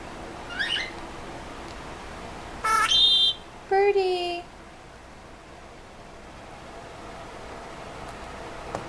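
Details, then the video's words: A pet male Senegal parrot, which talks and screams more when hormonal, gives three short bursts indoors in a quiet room: a thin high whistle, a harsh buzzy squawk, then a lower voice-like phrase. "(senegal parrot) Talking"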